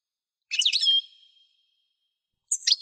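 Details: European goldfinch song: a tumbling cluster of high tinkling notes trailing into a thin sustained whistle, then a short burst of bright chirps after a pause.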